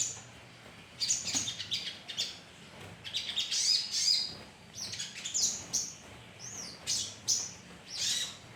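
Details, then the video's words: Colony of sogon birds heard as a lure: irregular sharp chirps, squeaky notes and a few looping whistles, coming in short bursts over a soft background. "pancingan suara koloni sogon"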